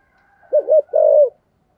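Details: Decoy spotted dove singing in the thổ voice style gives a single phrase: two quick low coos, then one longer, level hooted note.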